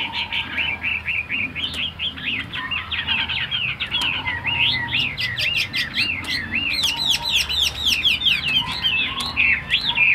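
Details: Tame caged Chinese hwamei from Vietnam singing a long, energetic run of rapid repeated whistled notes, looping and rising, growing faster and denser with high sharp accents in the middle.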